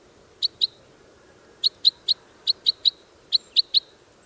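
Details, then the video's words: Wild red crossbill: crisp, clipped kip calls delivered in quick pairs and triplets, clean and high against a soft hiss. "Red Crossbill Sound – Song & Bird Calls"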